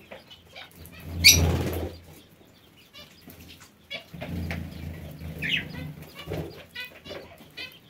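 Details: Parakeets in an aviary giving short, harsh, scratchy chirps in scattered bursts. Wing flaps and a low rumble of background noise run underneath.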